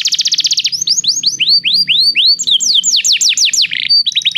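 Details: Canary song meant to encourage a canary to sing: a fast buzzy trill opening into series of sweeping rising-then-falling whistles and quick descending notes, ending in a brief rattle and clipped notes.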